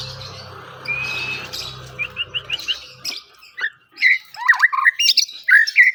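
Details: White-rumped shama (murai batu) singing, described as 'pastol'. The song starts under a steady low hum with a long whistle and short rising notes, then turns to loud, varied, slurred whistled phrases and sharp chirps.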